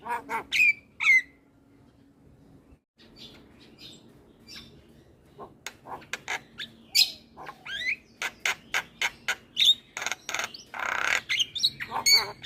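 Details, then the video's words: Very talkative Javan myna singing without pause: sharp whistled notes, harsh clicks and rasping bursts in a rapid uneven series, with a brief quiet gap near the start. "Jalak kebo Super Cerewet Tak henti Bunyi Bikin Burung Lain Ikut Gacor"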